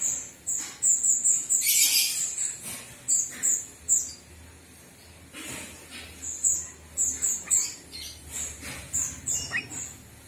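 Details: Jalak kebo, the Javan myna, uttering rapid strings of sharp, high-pitched squeaks and chirps in uneven bursts, with a brief harsh rasping outburst early on and quieter gaps between phrases.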